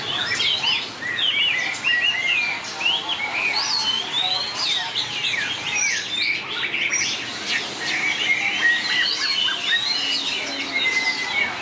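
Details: Fighting song of White-rumped shama in a singing contest: loud, melodic whistles mixed with sharp chips and rapid sweeping phrases, the intensity rising and dipping in bursts.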